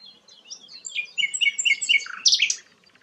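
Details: Sikatan londo flycatcher in lively song: a tumbling run of quick whistled and chirping notes, ending in a few louder, harsher notes.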